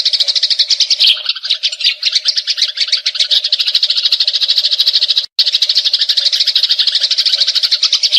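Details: Eurasian tree sparrow in combat, churning out a long, scratchy, rapid chatter of high chirps with small stutters and one brief dropout, a constant low hum in the background.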